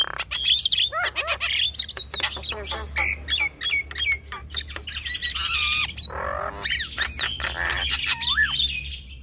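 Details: Javan myna male and female duetting in a long jumble of sharp clicks, twisting whistles, harsh rasps and squeaky phrases, with a few clear upslurred and downslurred whistles.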